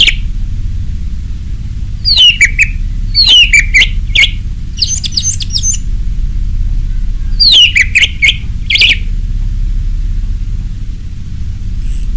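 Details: Orange-headed thrush in a lure recording of its ngeplong song style, meant to get kept birds singing: bursts of clear, descending whistled phrases around the upper-middle range, repeated in groups, over a steady low hum.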